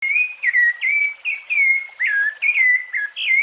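A rufous-bellied thrush sings a steady run of short, clear, fluty whistled phrases, about two or three per second, slurring down and up at mid-high pitch.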